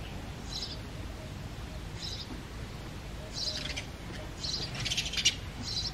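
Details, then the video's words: Male house sparrows chirping loudly in breeding season: short, bright chirp bursts, scattered at first, then clustering more densely toward the end over a steady low background rumble. "The Sparrow Calling"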